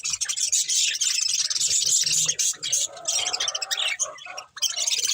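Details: Budgerigar breeding pair chattering rapidly, sharp high chirps about three per second over busy warbling, with a short lull just before the end.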